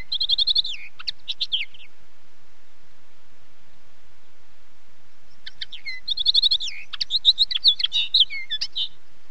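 A common linnet sings quick, twittering phrases of chirps and trills, with a burst at the start, a pause, then a longer varied run.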